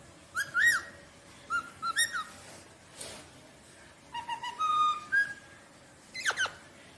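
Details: Rosellas singing: clear whistled notes, some flat and held, some sliding up or down, in short phrases separated by pauses, over steady background hiss and a brief noise burst.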